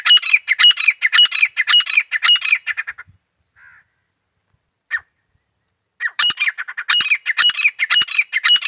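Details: Grey francolin giving loud, harsh, rhythmic squawking calls in rapid repeated phrases for about three seconds, a pause with a few faint notes, then the ringing repeated phrases resume strongly; no other clear sounds.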